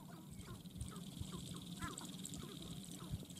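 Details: Sharp-tailed grouse on the dancing ground utter quick, quacking, bent notes in loose series, several birds overlapping, with constant low-pitched background rumble.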